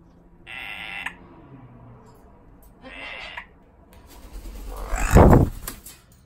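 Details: A yellow-crowned Amazon parrot gives two short, harsh, nasal squawks about two seconds apart, followed by a loud thump or knock.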